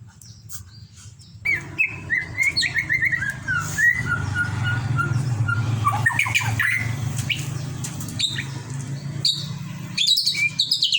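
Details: White-rumped shama singing a varied run of clear whistled notes and short chirps, some rising and falling, with louder sharp notes near the end, over a steady low background hum.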